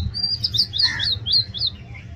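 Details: Oriental magpie-robin giving a brisk warbled phrase of sweet, high whistles and lower rolling notes, rising and falling in quick succession against a faint low hum.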